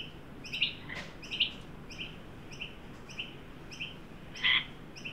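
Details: Australian magpies in Sydney on 9 December 2023 during a 43 °C heat wave, where an adult led a juvenile to a new birdbath: short, high chirping notes about twice a second, one louder, harsher note near the end, over soft hiss.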